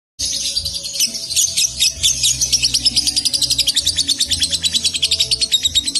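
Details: Young lovebird from Salatiga singing in the konslet style, a long unbroken burst of dense, rapid high chattering that settles into fast rhythmic chirped pulses, with a low steady hum underneath.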